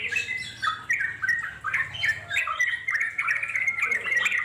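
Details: Wild Yellow-vented Bulbul singing the long ngeropel style as an answering lure; quick squeaky notes in short bursts, several phrases overlapping, over a faint low hum.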